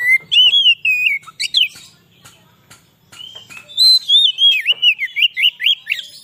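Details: An Oriental magpie-robin, in a recording meant to lure wild kacer and fire up a kacer's excitement, gives fast, varied whistled phrases. Quick loops and slurs fill the start, soft clicks follow, then a long run of rolling, repeated whistles.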